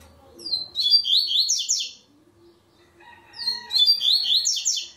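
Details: Singing in the third stage of an online web tournament, a double-collared seedeater gives two high, rapid, warbling phrases about two and a half seconds apart. There are faint lower sounds in between.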